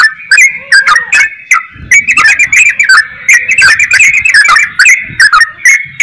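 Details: Yellow-vented bulbul, trucukan, singing vigorously: a rapid, choppy run of bubbly whistled notes around mid pitch with sharp clicking accents, delivered almost without pause.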